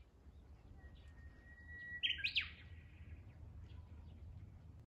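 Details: Male Japanese bush warbler sings its territorial 'hō-hokekyo' phrase: a long, even whistled note followed by a quick, loud, slurred flourish, over a low background rumble throughout.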